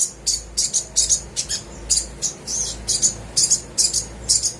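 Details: Sunbird used as a lure to get quiet, reluctant birds to sing: a run of crisp, very high-pitched chip notes in short bursts, about two to three per second, over a quiet background.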